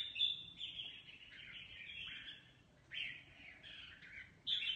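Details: Mutant-plumaged red-whiskered bulbul in a singing contest: a run of rich, slurred whistled notes, falling and rising, with a short gap before a fresh louder phrase and a final bright burst at the end.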